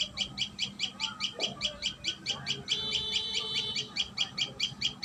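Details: Common tailorbird at its nest, giving a sharp, high, clipped note repeated steadily about twice a second throughout, with a brief stronger doubled phrase midway; faint low background rumble.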